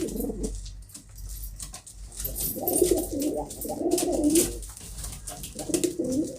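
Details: Domestic pigeons indoors giving low throaty rolling coos in several bouts, with some clicks and scuffling noise in the background.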